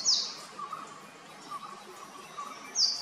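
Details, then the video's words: Male purple sunbird calling, one high, shrill descending note at the start and another at the end, separated by soft, lower chirping from distant birds. "Purple sunbird call, Male purple sunbird calling, Purple sunbird, Purple sunbird song, Sunbird sound"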